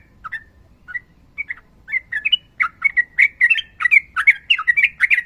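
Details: Sooty-headed bulbul singing a long rolling song in fighting style. Scattered slurred notes build into a steady, accelerating run of bright chattering syllables, roughly three a second, louder toward the end.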